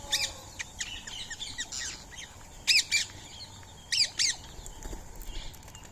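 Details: Free-living Indian ringneck parakeets feeding on soaked rice and corn at 6:30 on a March 2025 morning. Loud harsh screeching squawks come in pairs near the middle and later, with softer chirps of other birds around them.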